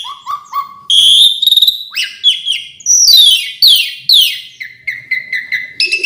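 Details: Varied isian song from an Asian pied starling: three short rising whistles open, followed by a sustained whistle, rattling bursts, loud downslurred notes and a string of quick chips.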